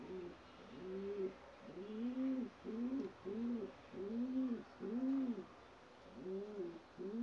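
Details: White Ges pigeon young from a Gök Alaca Ges parent, this Ges being a medium cross of Bağdat with flight or post pigeons. A steady run of about nine arched, plaintive squeaky calls, each swelling and fading, with short pauses between.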